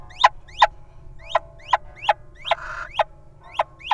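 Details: Wild little owl guarding its mate as the partner enters a nest box holding young nestlings: sharp, short upswept calls repeated roughly every third of a second, with a brief rustling burst midway and low steady background hum.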